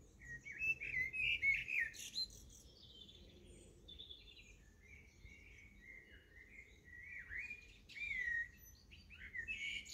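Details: Young peregrine falcons, 54 and 56 days old, at De Mortel, Netherlands, on 17 June 2021 give thin, wavering whistled calls, bending up and down in quick bursts, over a low steady background rumble.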